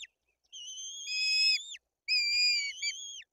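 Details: White-tailed eagles in Bory Tucholskie, Poland, feeding two chicks with fish while the older chick is aggressive; two loud, clear, high whistled calls, each about a second long with a gently rising then sharply dropping end.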